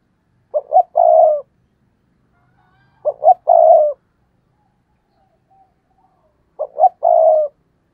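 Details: Decoy spotted dove urged to coo in the stammering 'gù cà lăm' manner to stir wild birds; three evenly spaced phrases, each two short notes then a long throaty coo, separated by silence.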